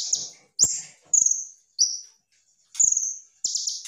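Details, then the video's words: Kolibri ninja (Van Hasselt's sunbird) singing in 'gacor' style for tutoring other birds: sharp, very high buzzy trills and short whistled strokes, spaced roughly a second apart over a quiet background. "konin gacor full tembakan materi mewah cocok buat masteran"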